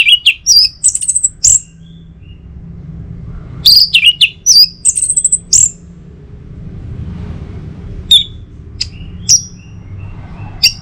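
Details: Orange-headed thrush in song, used as a morning prompt for other birds: two lively groups of rapid varied whistles and high squeaky notes, followed by a few isolated whistled phrases spaced over several seconds.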